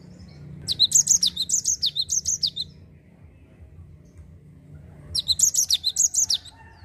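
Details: Java sparrow delivering 'ngerol' song meant to coax other birds to sing: two bursts of about ten rapid, high, tinkling notes each, separated by roughly two and a half seconds of quiet.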